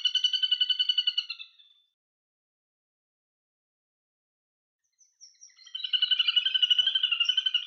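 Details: Little grebe calling: two high, rapid whinnying trills of evenly repeated notes, the first fading out after about a second and a half, the second starting after a silent gap and running to the end.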